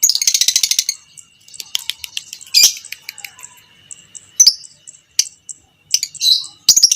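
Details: Lovebird of the biola pb creamino colour type, a fighter bird kept by hobbyists, used as a master recording to train other lovebirds: about a second of fast shrill chattering, then scattered high squeaky chirps and short bursts.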